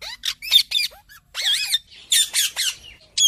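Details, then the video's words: Parrot giving loud harsh squawks, mostly short rasping bursts in quick succession with a few brief rising whistled notes between them. "Parrot | Tota | Parrot Talking | Parrot Sounds"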